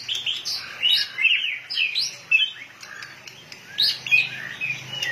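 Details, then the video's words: Fired-up white-rumped shama pumping its tail: rich, varied song of swooping whistles and quick chattering notes, phrases rising and falling in pitch, delivered in loud bursts with short pauses between them. "chòe lửa căng lửa.đập đuôi như cái máy | murai batu"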